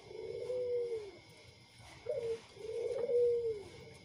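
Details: Tame spotted doves, a white bird alongside a local wild-type bird, giving low, soft cooing notes: a drawn-out coo, a short clipped note, then another long mellow coo, in a quiet indoor setting.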